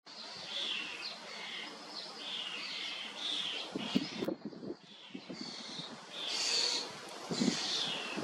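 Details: Young common starlings, about two weeks after fledging, and adults feeding together on sweet cherries in Hrodna, western Belarus, on 31 May 2024, keep up a dense, overlapping chatter of harsh, high, scratchy calls, with a few soft thumps and rustles.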